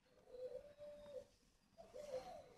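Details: Coarse-voiced breeding spotted doves kept on a farm in Ba Vì district, Hanoi, Vietnam: quiet low hollow coo notes, two drawn-out steady tones followed by a short rising-falling coo, over faint room hiss.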